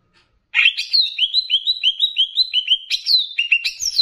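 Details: Banyuwangi greater green leafbird singing a training recording that blends in bebeci-style phrases, aimed at raising other leafbirds' excitement. An unbroken, rapid string of bouncing, upslurred whistles ends with a few higher, sharply descending notes.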